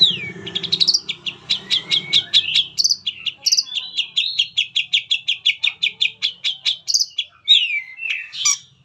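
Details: Long-tailed shrike singing a full-material lure song to set other shrikes singing: a dense, rapid stream of high clicked and whistled notes, broken by occasional downslurred whistles, with faint low murmuring underneath at the start.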